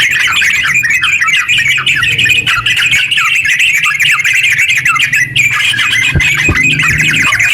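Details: Long ngeropel song of sooty-headed bulbul, aimed at getting other bulbuls to sing; dense rapid chatter of bright notes, a momentary pause midway, and a few dull knocks toward the end.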